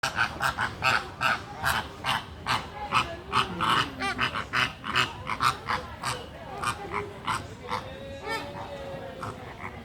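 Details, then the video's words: Resting flock of greater flamingos (Phoenicopterus roseus) give a loud, steady chorus of nasal, goose-like honks, two or three a second and overlapping from many birds, with low grunting murmurs underneath. "GREATOR FLAMINGO RESTING AND MAKING LOUD SOUND"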